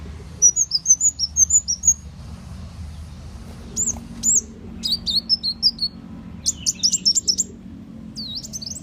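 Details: Muncang or kolibri wulung sunbird, a call used to lure birds for trapping: a series of short, high, downslurred whistles, then sharper squeaky chirps and twitters in clusters.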